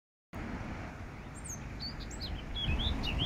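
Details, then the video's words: A Eurasian blackcap sings in Regent's Park, London: quick, high, flutey whistled notes that slur up and down, over a steady low rumble of wind or distant traffic. "beautiful Blackcap sings."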